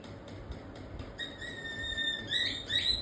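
A cockatiel gives a steady, thin whistle that breaks into short upward-slurred notes after soft tapping.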